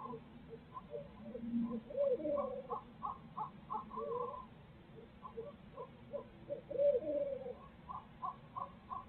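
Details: Barred owl pair calling at their nest in Midtown Tulsa, parents sharing nest duties, captured on a live feed camera. A long, uneven run of short hooting notes with a few louder drawn-out, wavering calls, over a low background hum.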